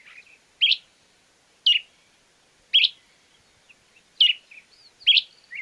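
Stripe-necked Tody-Tyrant giving sharp, high, clipped notes about once a second, each a quick downward flick; faint softer chatter between them.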